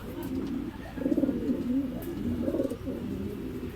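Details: Returning racing pigeons from a second truck training at Guiguinto, Bulacan, arriving fairly together; deep, rolling coos rise and fall in two swelling bursts.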